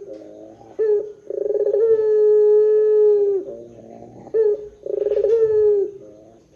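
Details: Barbary dove coos used as a lure to get other doves calling: a short note and rolled start lead into a held low tone of about two seconds, then a second, shorter trilled coo follows after a brief note.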